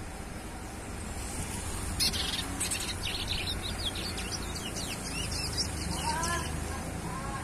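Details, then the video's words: Young chestnut-bellied seed finch, adapted to its noisy surroundings, singing a burst of quick, high twittering notes in the middle of the clip over a steady low rumble of background noise. "CURIÓ PARDO FILHOTE - ELE NÃO PARA DE CANTAR, NEM COM BARULHO A SUA VOLTA."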